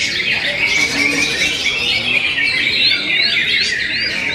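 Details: Greater green leafbird with continuous twittering song, ending in a series of clear up-slurred whistles repeated in the last seconds.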